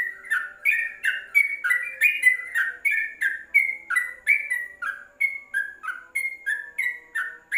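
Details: Yellow-vented bulbul singing inside a covered cage, recorded as a tutor song for training birds: lively alternating whistled notes, some rising and some falling, about three per second, with a soft hum underneath.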